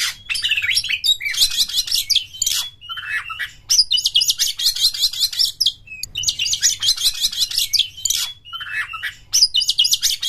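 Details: Oriental magpie-robin (kacer) in vigorous gacor singing, delivering a long repertoire with tail spread: dense bursts of sharp high chirps and buzzy trills alternating with short clear whistles, phrases broken by brief pauses about every two to three seconds.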